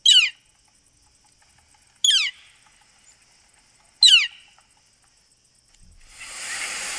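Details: Three loud, downslurred "kleer" calls from a northern flicker, evenly spaced about two seconds apart, followed by a rising hiss of broadband noise at the end.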